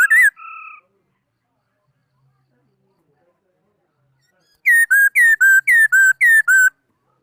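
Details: Singing laughingthrush, 2018: a sharp whistle and a flat steady note, a long silence, then a rapid series of eight loud downslurred whistles at about four per second.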